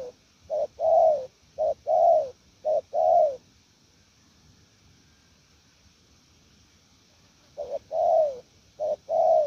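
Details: Decoy spotted dove giving 'gù lèo' coos: two phrases of short-long paired coos, about four notes each, separated by a few seconds of silence. The low mellow notes fall slightly at their ends.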